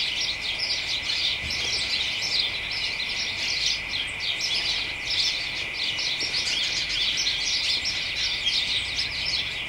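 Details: House sparrows and other birds chattering excitedly in a garden hedge on a late afternoon in early December: a dense, continuous chorus of overlapping high chirps and twitters, with a steady thin whine running underneath.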